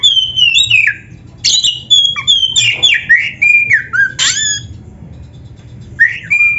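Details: Caged oriental magpie-robin singing a rich, varied song of clear whistles sliding down in pitch, mixed with harsh buzzy notes, delivered in quick phrases with a brief lull before resuming.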